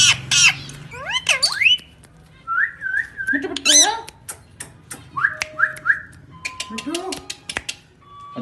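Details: Indian ringneck parakeet talking and whistling indoors: sweeping harsh notes, a wavering whistled phrase, sharp clicks and rising squawks, with a person speaking Hindi nearby.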